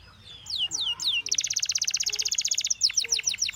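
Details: Canary song beginning with soft descending slurs, then a long rapid trill of evenly repeated notes, followed by scattered downslurred notes; faint background murmur underneath.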